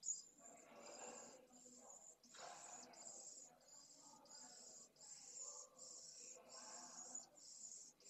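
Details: Hungry pallid swift chicks at the nest, live-streamed from Esclavas de Jerez, Jerez de la Frontera, 8 September 2022: thin high buzzing in steady repeated bursts over louder, broad rustling and shuffling in the nest.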